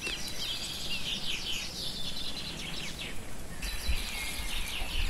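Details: Several birds singing outdoors in Turkey, possibly a common nightingale among them, pour out rapid, tumbling high chirps and quick sweeping whistles almost without pause, over a steady low background rumble.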